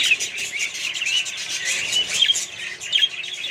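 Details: Australian budgies in a mixed bird colony, a busy overlapping chorus of short chirps and warbles with a few sharper whistled notes standing out.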